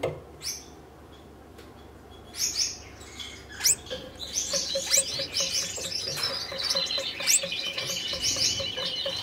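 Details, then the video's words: Courting red-headed Gouldian finches, a caged pair put together for breeding; after a few isolated high chirps, a dense run of thin buzzy, hissing notes builds and continues steadily, with soft ticking underneath. "Red-headed Gouldian Finch courtship"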